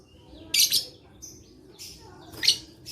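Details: Lovebird singing, played to stimulate lazy lovebirds to call, dated 11/4/21. Two loud, rasping, shrill chirp bursts with softer scratchy twitters in between, over a low, steady background hum.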